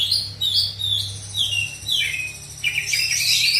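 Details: Oriental magpie-robin from South Aceh, Indonesia, delivers bright whistled notes sliding downward in a repeated series, then a burst of higher rapid twittering, over a low steady hum.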